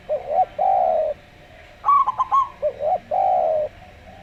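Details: Zebra dove, local type, in calm slow song: a short burst of fast staccato notes framed by long, steady, buzzy coos.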